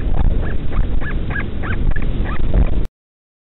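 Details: Northern royal albatross chick being fed by a returning parent in the middle of the night at the Pukekura/Taiaroa Head colony near Dunedin, New Zealand; short rising peeps repeat several times a second over a heavy low rumble.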